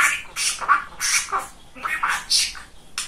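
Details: Chatty pet male budgerigar indoors mimicking speech: quick, raspy, squawky syllables strung together with brief pauses, mixing mid-pitched grating notes and higher hissy bursts.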